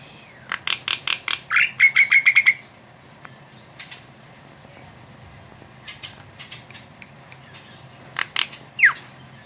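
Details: Javan myna chattering song, used to coax other mynas into singing: a quick run of about a dozen harsh clicking notes, one buzzy sustained note, then scattered clicks and a final sharp falling whistle.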